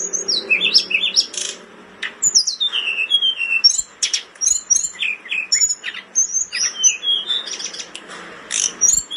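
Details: Caged blood-breasted flowerpecker in breeding condition, its song kept for tutoring other birds: a dense run of sharp high chirps, descending slurred whistles and buzzy notes, nearly continuous for nine seconds.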